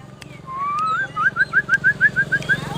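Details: White-rumped shama showing off, giving a series of about a dozen short, clear rising whistled notes repeated several times a second, over a steady low engine-like hum.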